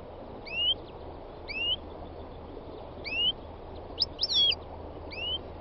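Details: Song of a wild European goldfinch, a rising whistled slur repeated about every second, broken once by a quick tangle of twittering notes, all over a faint steady hiss.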